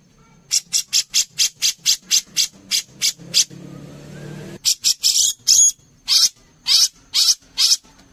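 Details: Brown-cheeked bulbul singing actively for a songbird contest master: quick scratchy notes repeated steadily, a low rumbling passing-vehicle noise in the middle, then longer, louder raspy notes spaced more widely.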